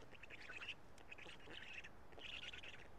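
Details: Black stork nestlings at a nest in Karula, Estonia, calling while a parent feeds them on a June late morning. Their voices have changed. Rasping, squeaky bursts repeat in several clusters against steady background hiss.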